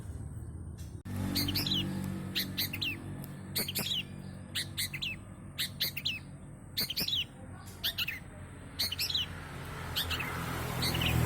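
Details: Long-tailed shrike singing hard with a rich mix of fill phrases, used as a lure. Clipped chattering phrases come in bursts separated by short pauses, with a faint hum beneath.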